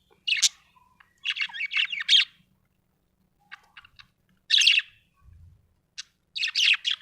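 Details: Happy budgie chirping in clean, quiet surroundings: scratchy chattering bursts and short warbled phrases, a few isolated clicks, and a soft low knock in between.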